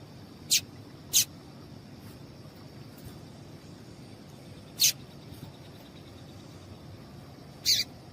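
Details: Female papa-capim (yellow-bellied seedeater) calling to excite males, a call valued by breeders who enter singing tournaments; four brief, high, sharp chips come at uneven gaps over about eight seconds against a faint steady hiss.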